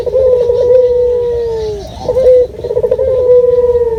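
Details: Local puter dove calling as a bird lure: a sustained low coo with a rippling tremolo start, a short pause, then another trilled opening leading into a long steady held note.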